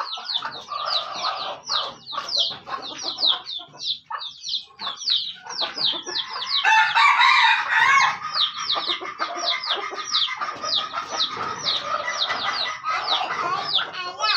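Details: Junglefowl of Aceh used as a lure bird: a long run of rapid high descending chirps throughout, interrupted midway by a louder harsh rasping burst, with steady background rustling.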